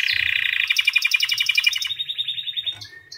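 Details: A white canary sings a fast, slightly slowing trill of repeated notes, ending with a couple of thin high chirps.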